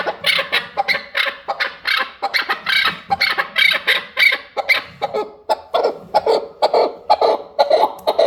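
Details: Chukar partridges give a chorus of rhythmic, raspy chuck notes, roughly two per second, rising and falling in steady pulses.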